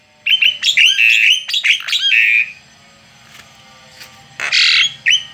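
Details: Asian pied starling, a tame bird out of its cage, chattering loudly in a rapid run of whistled slurs and scratchy squawks for about two seconds, then a pause and one more harsh burst.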